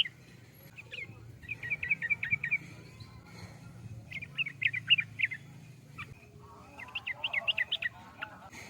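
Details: Sooty-headed bulbul singing short strings of fast, clipped chirps, four phrases spaced a second or two apart, over a steady low hum.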